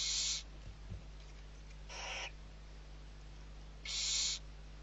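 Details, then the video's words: Hissing screeches from barn owl chicks, a brood of six fed in Riet Vell reserve, Ebro Delta, Spain, late November: three harsh noisy bursts about two seconds apart, the middle one softer, over a faint steady background hum. "ГОДУЄМО ШІСТЬ СОВЕНЯТ. СИПУХА. РІТ-ВЕЛЛ. ЕБРО. ІСПАНІЯ 21-11-23 - BARN OWL. RIET VELL. EBRO. SPAIN"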